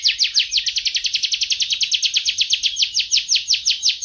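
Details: Canary in 2014 delivering a long, tight roll song: a rapid, even train of bright descending chirps, about seven per second, sustained without a break.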